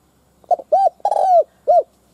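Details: Spotted dove used as a decoy to lure wild doves, giving one complete coo phrase: a brief stuttered note, a round coo, a long throaty rolling croo and a last clear coo.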